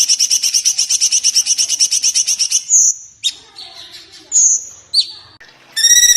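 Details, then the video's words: Cungkok in full song, used as a tutor recording for songbirds such as magpie-robins and shrikes: a fast, even run of sharp high chirps for about 2.5 seconds, then scattered whistled slurs and a ringing final burst. "cungkok gacor suara jernih speed rapat"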